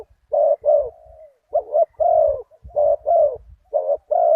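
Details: Decoy luring of a target bird with a deep-voiced one-kuk spotted dove at spot 37: rapid husky coo pairs, the first note short and the second longer and falling. Low rumbling noise persists underneath.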